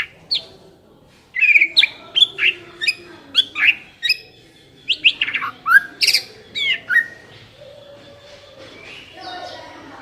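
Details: Lure recording of a white-rumped shama meant to make a bird sing readily: a lively, varied stream of sharp whistles, slurs and chattering notes after a brief opening call, fading to quieter sounds at the end.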